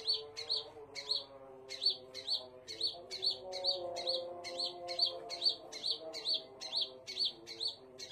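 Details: Scarlet minivet song: an unbroken sequence of high, sharp chirps with a raspy attack, about two to three per second, over a faint low drone.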